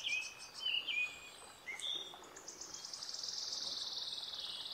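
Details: Bolivian blackbird recorded in April 2023 at Maragua, Sucre, Bolivia: a few clear, slurred whistles and chirps at the start, then a long high buzzy trill that holds steady to the end, with a quiet background.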